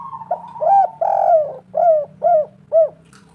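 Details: Melodious local spotted dove, a champion singer used to lure others into calling: six deep, rounded coos in rapid sequence, the second drawn out and the rest short, evenly arched, against a quiet background hum.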